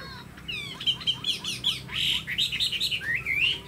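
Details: Pet Chinese hwamei, tame with a spread tail and eagle-like wing display, opens with quick ticking upsweeps and builds to loud, rich warbled whistles and a rising final phrase.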